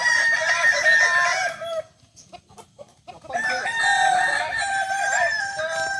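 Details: At a kukuak balenggek chicken singing contest final in Ampang Kualo, Solok, on Sunday 8 September 2024, several roosters crow in long, stepped, undulating phrases. A short pause with knocking sounds breaks the chorus before the crowing resumes.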